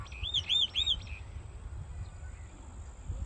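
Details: Common myna, also called Indian mynah, singing: three clear whistled notes in quick succession, each rising then falling, followed by quiet with a low background rumble.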